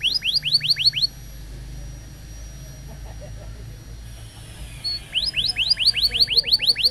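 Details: Pet canary in a training recording, giving two bursts of quick rising whistled notes, about six per second, separated by a few seconds of quiet hum.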